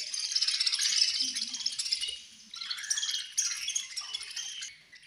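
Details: Feeding-time chirping from a group of budgerigars: rapid, rattling high chatter and fast squeaky notes, loud at first, dipping briefly, then returning in a second burst before fading.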